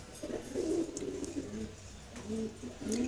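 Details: Indoor pair of Silver Gola pigeons giving soft, low, throaty coos in short wavering phrases, about four coo bursts, with a few sharp clicks and quiet room ambience.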